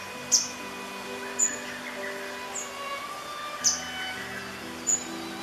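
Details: A grey wagtail in summer plumage gives sharp, very high single call notes, spaced about a second apart, over a soft sustained musical backing.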